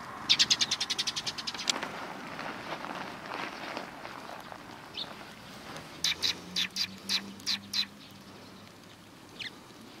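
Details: Sparrows coming to be fed at the front approach of a Tenmangu shrine, 12 April 2020: a fast run of sharp high chirps, then a quieter pause and a second burst of about eight evenly spaced chirps.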